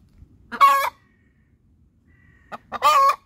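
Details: Hen giving her laying song after laying an egg: loud, harsh, nasal squawking cackles, each about a third of a second long, separated by a pause of almost two seconds, with short clucks leading into the second cackle.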